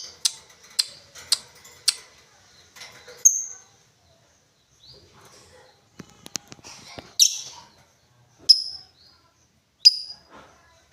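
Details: Lovebird giving sharp, high chirps, a quick run of four clipped notes followed by scattered clicks and rustling, then three more piercing whistled chirps spaced about a second apart.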